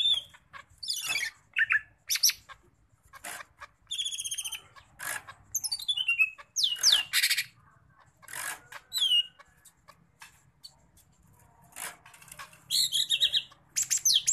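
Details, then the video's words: A Sumatran leafbird from Medan shows off its mimicked repertoire in a rapid, varied medley of sharp chips, sweeping whistles and buzzy trills in short bursts, with a faint low hum beneath. "CUCAK IJO MEDAN LATAH BONGKAR ISIAN"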